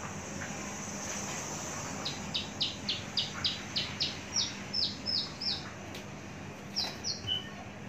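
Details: Caged Javan bush lark, a long-kept, mature bird with a very large body, giving a run of about twelve sharp, high, evenly spaced chipping notes over three seconds, then a short pause and a quick burst of three more, over steady background hiss.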